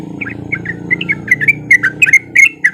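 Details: Sooty-headed bulbul song played as a lure to prompt other bulbuls to sing: quick bubbly chirped notes, short slurred whistles rising and falling, getting louder toward the end over a low background hum.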